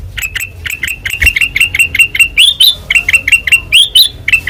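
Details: Ngeplong song from a white-eyed ruby-throated bulbul: steady stream of short, bright chirps at an even pitch, broken by a few higher rising slurs, over a faint low rumble.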